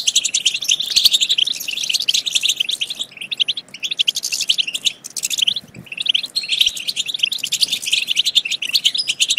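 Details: European goldfinches' twittering song, played to spur goldfinches to sing and mate. Steady, rapid chirping and jingling trills fill the stretch, easing twice into quieter gaps before picking up again.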